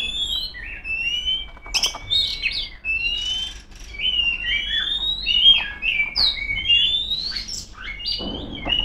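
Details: Song of a female Oriental magpie-robin calling out rivals, a continuous run of sweet whistles, quick slurs and short rising notes, with occasional harsh chip notes.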